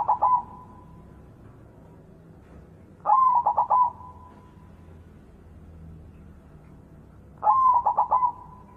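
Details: Morning song of a white zebra dove in full voice: three rolling cooing phrases about four seconds apart, each a rising note followed by rapid stuttered beats and a long even fading tail, with faint low background hum.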